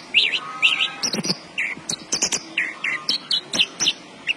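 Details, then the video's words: Javan bush lark, caged, sings quick slurred whistles and chirps interspersed with clicking rattles, about two notes per second. "BURUNG BRANJANGAN GACOR BOSSKU"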